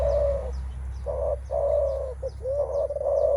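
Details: Spotted dove calling menguku at an opponent, a challenge mostly from males: long low vibrating coos alternating with quick short ones, nearly continuous over three seconds, soft high bird chirps behind.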